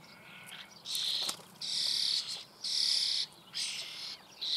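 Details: Young common starlings begging while fed in their nest cavity, Eifel near Büchel: long harsh rasping bursts of under a second, four loud ones in steady sequence, separated by short quiet gaps.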